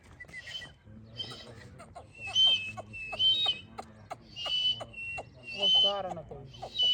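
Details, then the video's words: Partridge with a clear voice: sharp, high, ringing notes repeated roughly once a second in short bursts, with a person talking softly underneath throughout. "تیتر کی آواز کی کی ویڈیو saaf awaz tetar ke"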